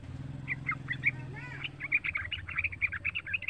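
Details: Young caged yellow-vented bulbul singing as a lure for other bulbuls: a string of short clipped chirps over a steady low mechanical hum.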